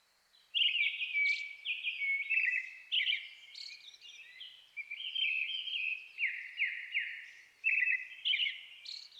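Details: Song of a Brown-headed thrush in a dusk forest, Shin'etsu highlands, Japan, May, alongside a louder Japanese thrush singing close by; a steady run of clear whistled phrases with sharp high flourishes, each phrase about a second long, with almost no gap between them.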